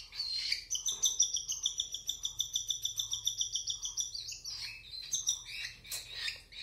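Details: Cockatiel chicks begging during hand feeding: a fast, steady run of harsh, pulsed high chirps, about three per second, in a long series that breaks into looser calls near the end.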